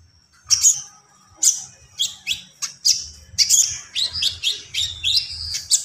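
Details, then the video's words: Common iora in lively gacor song: a series of sharp, high, downslurred chirps about every half second, becoming quicker and more twittery toward the end, with a faint low hum beneath. "SUARA BURUNG KONIN GACOR"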